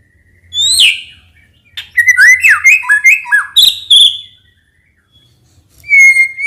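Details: White-rumped shama singing to provoke males: a high downslurred whistle, then a quick jumble of stepped whistled notes and sharp chips, ending with a clear level whistle.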